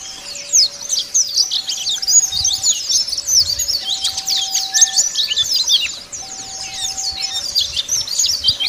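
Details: Wild Dakun Bali white-eyes calling rivals, a long unbroken chorus of very high, rapid chattering and chirping from many birds, with a steady low tone that steps between two pitches.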